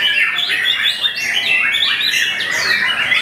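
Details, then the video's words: Loud contest song from a caged white-rumped shama on the competition hanging pole: quick chains of sweeping whistles and sharp up-and-down notes, delivered almost without pause, with other birdsong behind it. "VOLUME KERAS!! SERASA KAPAS TEMBAK MURAI BATU BILLION BUNGKAM LAWAN LEBIH CIUT, TEMBAKAN MEMATIKAN"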